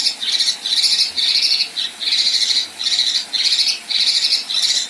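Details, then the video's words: Female Kinoi in a continuous run of coarse, scratchy rasps ('besetan' and 'tembakan kasar'). Eight or more grating bursts come in close succession with brief gaps. "Besetan Dan Tembakan Kasar Kinoi Betina"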